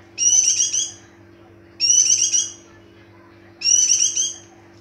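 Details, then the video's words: Breeding-condition white-eye giving three rapid, high twittering song bursts about a second and a half apart, each a dense warble, over a faint constant background hum. "Burung pleci Birahi"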